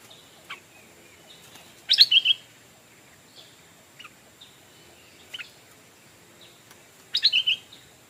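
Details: A decoy stripe-throated bulbul calls to draw in wild birds. It gives two loud bursts of quick, sharp, chattering notes about five seconds apart, with faint scattered chirps and a steady high hiss in between.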